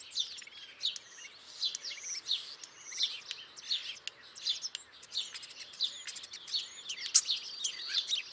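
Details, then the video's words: Starlings chirping in a dense, continuous chatter of overlapping high squeaks, clicks, short whistles and buzzy notes, with sharp bursts every second or so and no other clear sounds. "Starlings chirping"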